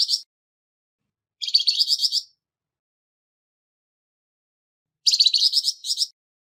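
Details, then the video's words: Rasping song of a Flamboyan bird, meant for training songbirds: a clipped burst at the start, then two full, buzzy phrases of fast repeated notes about a second long, split by nearly three seconds of silence. "Burung Flamboyan Suara kasar Untuk Isian Burung Ocehan Anda"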